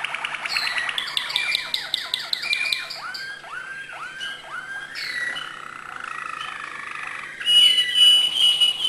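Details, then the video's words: Malinois canary singing acute notes: rapid rolling trill of repeated notes, then a series of slurred downward whistles, ending in a high buzzy phrase. "malinois singing acute notes"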